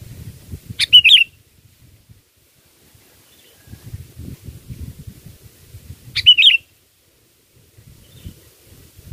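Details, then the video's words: Sooty-headed bulbul song for bird-trapping lures: two brief gurgling whistled phrases roughly five seconds apart, separated by bursts of low rumbling noise. "Pikat Burung Kutilang ISTIMEWA"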